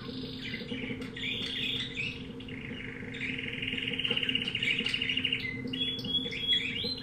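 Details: Canary bought from a pet shop, breed unknown, singing: rapid trilled phrases shifting between high whistled notes and rolling warbles, with a steady low hum behind.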